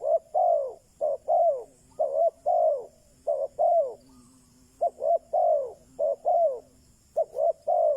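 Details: Decoy spotted dove calling to entice wild doves, with dense back-to-back coo phrases, each a short note and a longer downward-bending coo, repeated steadily over a faint low hum.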